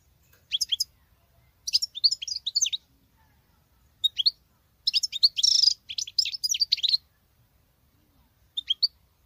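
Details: Female European goldfinch performing male-like song in separate short phrases of bright, twittering, slightly buzzy notes, some phrases rapid and dense, with quiet gaps between them in an otherwise silent setting.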